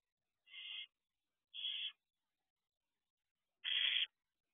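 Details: Young barn owls in an owl box before dawn, 4:24 am, peering out the entrance. Two softer rasping hisses come close together, then a louder, longer screech follows after a pause of about two seconds.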